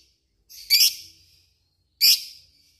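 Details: Lovebird, described as a fighter bird, giving two sharp, harsh chirps about a second and a half apart, each a brief high burst with a fading tail, silence between.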